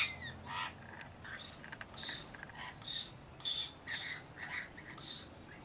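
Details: Rainbow lorikeets while bathing and feeding give about seven strident, rasping screeches, spaced a little under a second apart, with low murmured notes in the gaps.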